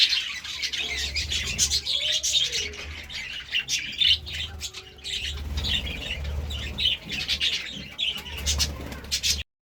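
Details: Several pet budgerigars feeding on seeds and fresh vegetables: a continuous, dense, scratchy chatter of high twitters, squawks and sharp clicks runs through the whole recording over a steady low hum.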